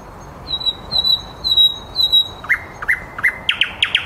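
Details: Thrush nightingale singing live at 21:30 in Käpylä, in the city of Helsinki: thin high whistles repeated slowly, then loud, accelerating clicking notes.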